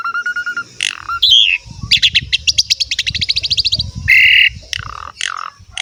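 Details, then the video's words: Asian pied starling song played to train young and lazy birds to sing: a steady whistle, then a long series of quick clicking notes, harsh buzzy bursts and squawks, with faint low rumbling below. "PANCINGAN BURUNG JALAK SUREN SUPER GACOR FULL ISIAN MEWAH"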